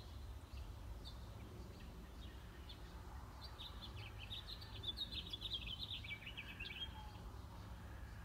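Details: American robin nest with six-day-old chicks being fed by the adults; thin, high chirps cluster in a busy burst from about three to seven seconds, over a steady low rumble of background noise.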